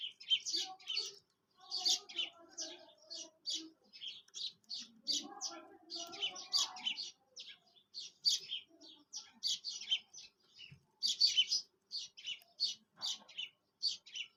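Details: Quail calling, used for hunting: a long run of high, chirpy notes in rapid clusters of two or three, repeated steadily with short pauses, faint lower murmuring sounds mid-way.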